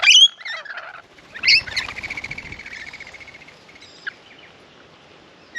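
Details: Rainbow lorikeets at a backyard bird bath in Australia, arriving in numbers: two harsh, shrill screeches, then a long buzzy, rapidly trilled chatter fading over a couple of seconds, with a few sharp squeaks after.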